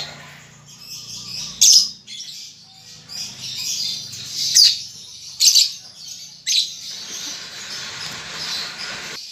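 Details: Young lovebird learning to chatter, giving rasping squawk-like high chirps every second or two, then a long stretch of continuous hissy twittering, with a faint low hum throughout.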